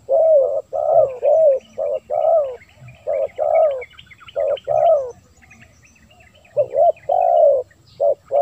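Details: Spotted dove cooing, a lure recording for calling in wild doves: rhythmic series of mellow, slightly rising coo notes in short-long groups, a pause of silence midway, faint chirps of small birds behind.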